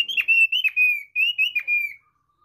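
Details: Thick-billed white-eye, NTT, Indonesia, in basic song (kicau dasar): a rapid string of about six bright whistled notes, several opening with a sharp upward flick before gliding down, delivered almost without pause, then silence.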